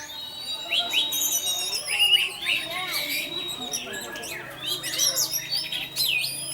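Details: Orange-headed thrush delivering teler song as a lure for other thrushes: rising and falling whistled phrases mixed with scratchy chirps, loud throughout, with a faint steady tone below.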